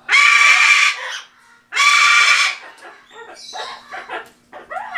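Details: Pet sulphur-crested cockatoo, recorded in November 2015, said to speak the words "back off": two long, loud, harsh screeches, each close to a second, then softer voice-like syllables and a rising squeal at the end.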